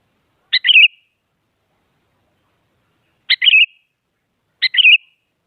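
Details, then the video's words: Sooty-headed bulbul calling to goad other bulbuls into singing: three sharp, warbled two-part calls, the first alone and the last two close together after a long pause, in clean quiet surroundings. "Suara Burung Kutilang Paling Aktif Memaksa Lawan Agar Bunyi Jadikan Kutilang Ikut Gacor"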